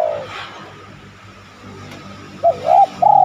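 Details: Spotted dove cooing, used as a lure to make other spotted doves coo and answer: a soft low hoot at the start, then after a quiet pause a short note followed by two longer, wavering hollow coos, over faint background hiss.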